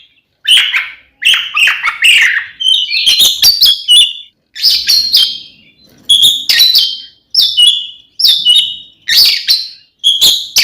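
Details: Oriental magpie-robin (kacer) singing its fighting song to provoke rivals; short bursts of mixed whistles and harsh chatter repeated roughly every second with brief silences between.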